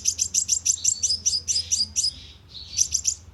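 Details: Sunbird lure call used with a loudspeaker trap to draw birds in: rapid series of very high, sharp chirps, about fourteen in quick succession, a short pause, then a few more.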